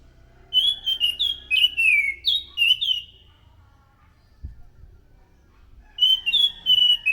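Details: Loud song of an Orange-headed thrush, used as a lure for other thrushes: a run of bright whistled notes, some rising and some falling, then a long silence before a final whistled phrase; one soft thump midway.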